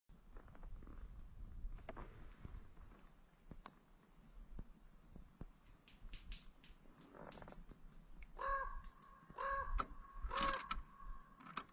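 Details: Three Canada jays (gray jays, camp robbers) seeking handouts at a BWCA campsite on Daniels Lake: harsh, scratchy calls about a second apart near the end, after low rumbling water and canoe paddling noise.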